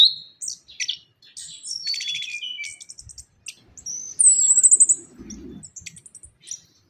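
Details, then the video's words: Orange-headed thrush (anis kembang) lure recording: a quieter medley of chirps, buzzy trills and a thin, high, descending whistle, with scattered short notes between phrases. "ANIS KEMBANG - PUNGLOR KEMBANG - KICAUAN ANIS KEMBANG GACOR"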